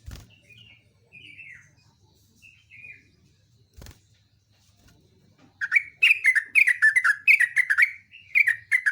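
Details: A yellow-vented bulbul in full song gives a few short, slurred chirps, then a sustained run of fast, loud, tumbling notes that dip and repeat over the last three seconds, with a faint low hum beneath.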